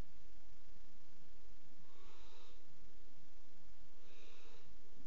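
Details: Barn owl at a nest box in a water tower on 5 February 2018, with mating on the box's edge; two breathy, hissing bursts about two seconds apart over a steady low hum.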